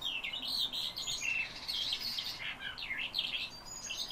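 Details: A caged calandra lark, filmed late in the evening, pours out a rapid, continuous stream of high chirps, trills and scratchy notes.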